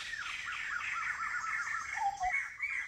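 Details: In semi-evergreen forest near Kulen National Park, Cambodia, a migrant Blyth's paradise flycatcher utters a quick string of rasping, scolding notes, followed by a brief low whistle from another bird.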